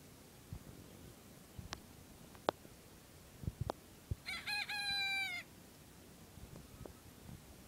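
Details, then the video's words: Crowing bantam rooster, bright and overtone-rich, delivered as a rapid chain of short stuttering pulses that merge into a steady held note lasting about a second, with occasional clicks and taps around it. "My Bantam Rooster Amillio Crowing #2"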